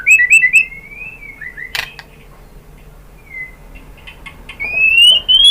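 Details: White-rumped shama song meant as a lure: looping whistled notes followed by a falling glide, a sharp burst, a long near-silent stretch, then a clear rising whistle at the end.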